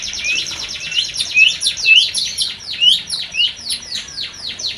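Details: White-rumped shama breeding lure for a new pair: a fast, even series of high, thin upslurred notes, about two per second, repeated without pause.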